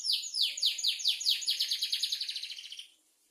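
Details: Canary phrase of falling whistled notes that speed up into a quick high trill, tapering off and fading after about three seconds, with a quiet background.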